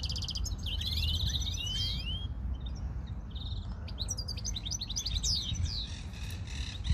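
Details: European greenfinch song in a rural outdoor setting: quick twittering notes and upward-sweeping whistles at high pitch, in short bursts, over steady low background noise.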